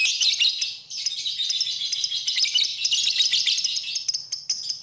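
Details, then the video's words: Lovebird song used for tutoring: rapid, high twittering chatter with scattered sharp chirps, a short dip near the first second, then steady dense notes. "Kicauan Burung, Love Bird, Masteran Love Bird"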